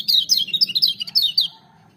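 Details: Kecial kuning singing at full power: a fast, unbroken run of bright, high, up-and-down slurred chirps lasting about a second and a half before fading out.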